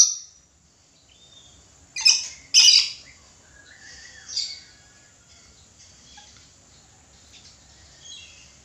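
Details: Red lory calling: two loud harsh screeches close together, then a softer shorter call, followed by near silence with faint background hiss.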